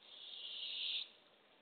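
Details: Barred owl at a nest box on the early morning of April 27, 2024, with a female delivering a baby opossum to hungry owlets. A single rasping hiss rising in strength for about a second.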